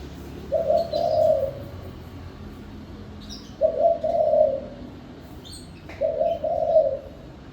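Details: Spotted dove singing: three mellow, low coo phrases roughly every three seconds, each a brief note then a drawn-out purring coo, with faint high chirps of small birds between.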